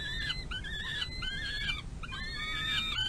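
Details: Peregrine falcon young on the runway of a nest box while its mother feeds it large prey, May 2022. Drawn-out, wavering screeches run together, with a short pause in the middle.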